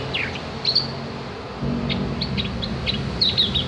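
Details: Tutor recording of a Javan grey-throated white-eye, locally cak gentong, for teaching birds to sing: scattered high, thin chirps and short whistled slurs with brief gaps, against low rumbling noise.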